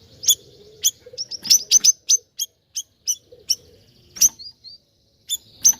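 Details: Siri-siri bird singing energetically: sharp high chirps and short whistled notes in irregular bursts, a few quick doubled notes, over a faint low background hum.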